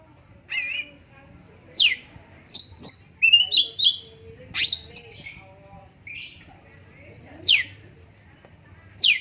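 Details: Cucak cungkok song with pauses: sharp, downward-sweeping squeaks and upslurred whistled notes, delivered singly and in short clusters with quiet gaps between.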